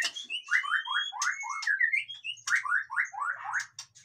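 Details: Lively white-rumped shama song, meant to stir lazy captive birds into singing: rapid runs of short, slurred, descending notes repeated in quick series, with thin high whistles laid over them.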